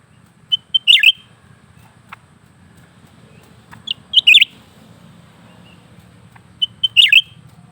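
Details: Caged lesser green leafbird in continuous song: short high pips leading into sharp falling whistled flourishes, three phrases spaced roughly three seconds apart, low hum underneath.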